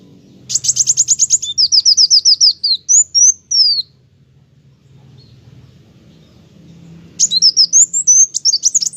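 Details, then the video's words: High-pitched song of an olive-backed sunbird, locally kowul, singing steadily: a quick rattling trill, a series of descending whistled slurs and thin rising notes, a few seconds of quiet, then another burst of twittering. "Burung Kolibri wulung ( kowul ) gacor mantab"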